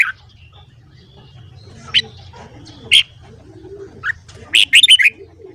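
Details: Red-whiskered bulbul singing in the morning: isolated bright whistled notes every second or so, ending in a fast, warbling run of five sweeping notes, with a quiet low hum beneath.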